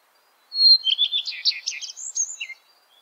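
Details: Common Redstart song: a pure high whistle leading into a dense, jumbled twitter of fast varied notes lasting about two seconds, clear and close.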